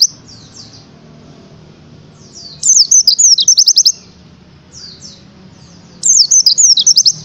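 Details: Oriental white-eye song used as a training tutor: very high, thin chirps, then two fast bursts of sharp rising and falling twittered notes, each burst about a second long.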